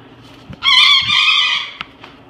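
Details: A pet parrot swinging upside down notices a Moluccan cockatoo and makes cute noises, including a single loud, nasal, trumpet-like squawk of about a second that holds steady then trails off, with a few soft clicks around it.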